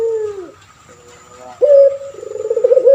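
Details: Long falling tail of a coo from a caged male puter pelung turtle dove, kept for training other birds. A quiet gap follows, then a sudden loud note that breaks into a rapid, bubbling pulsed roll.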